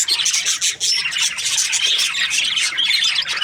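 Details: Budgies in breeding season chattering as a group, a steady stream of bright chirps, rapid warbles and thin whistled notes layered over one another without a break.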